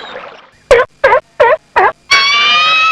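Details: Swimming ducks on a pond or lake give four short, nasal, evenly spaced quacks about a third of a second apart, followed by one long, steady, strongly harmonic call, with soft rustling at the start.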